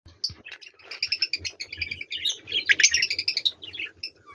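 Budgerigars chatter in quick, scratchy chirps and warbles, with several birds overlapping.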